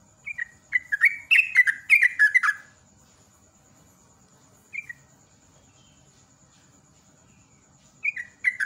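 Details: Sooty-headed bulbul in ropel style, lure song: a quick tumbling run of bubbly, downslurred whistles for two seconds, then long quiet stretches broken by a lone short phrase and a final burst.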